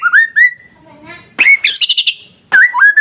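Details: Masteran recording of a white-rumped shama to provoke other shamas: rising whistles, a soft harmonic murmur, a fast burst of high chips, then a looping melodic whistle.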